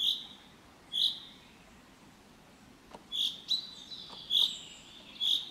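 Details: Common chaffinch calling: short, sharp, high-pitched single notes given at irregular intervals, two early ones, then a quicker cluster of several, against a quiet background.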